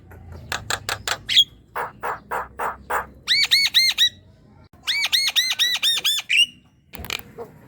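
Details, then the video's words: Javan myna song used to stir a quiet, lazy young myna into singing: a run of harsh, evenly spaced rasping notes, then rapid buzzy chattering bursts with a short whistle, ending with a sharp click. "Jalak kebo muda yang diam dan malas bunyi pancing dengan ini"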